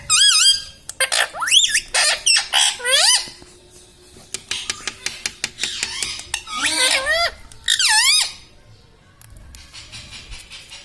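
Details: Talking pet parrot repeating mummy and mithu; rapid runs of high, wavering, squeaky syllables mixed with sharp clicks and tapping, followed by quieter room noise near the end.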